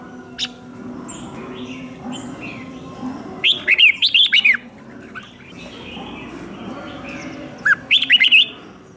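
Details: Captive red-whiskered bulbul singing fighting song for training: soft background chatter, then a sharp burst of slurred whistles, quiet again, and a final short warbled phrase.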